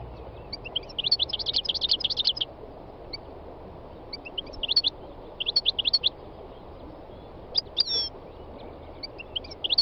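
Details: A wild European goldfinch sings in repeated bursts of fast, high, jingling twitters, each phrase lasting a second or more, separated by brief pauses, with a steady low hum behind.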